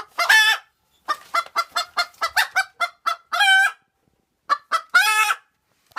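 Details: Domestic Cochin bantam hen calling loudly just after laying an egg: a rapid series of short clucks builds into long, drawn-out cackling squawks. Brief pauses separate the bursts, and no other sounds are heard.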